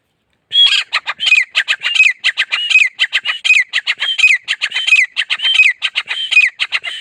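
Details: Grey francolin of grasslands and scrublands of India and Pakistan, calling: a loud, harsh, squawking series of rapid notes, repeated several times a second with no pause, over a quiet background.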